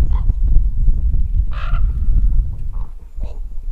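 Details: Common raven calling from overhead: a few short, harsh calls and one longer call that trails off near the middle, all over a heavy, low wind rumble.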